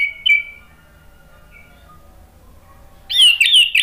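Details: Male orange-headed thrush, a lure recording to get other birds singing: a short slurred whistle, a long near-silent gap, then a looping, wavering whistled phrase.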